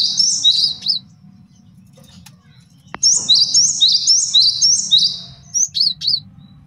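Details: Male cinereous tit used as a master song for training songbirds and luring, giving high, clear two-note phrases repeated rapidly in two bursts separated by a quiet pause.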